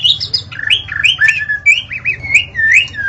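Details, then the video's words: Dawn singing of a white-rumped shama, used as a lure: a quick chain of sweet, slurred whistles, rising and falling in pitch, over a faint low hum. "Suara burung murai saat Fajar"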